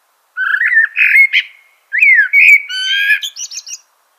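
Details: Common blackbird song in two close phrases: a smooth, rising and falling flute-like warble, then a swooping whistle leading into rapid, high, scratchy chatter at the close.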